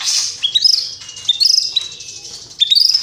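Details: White-rumped shama (murai batu) in full song, showing off a rich repertoire of imitated phrases: bright high whistled notes that rise and jump in pitch, delivered in three quick bursts separated by short pauses.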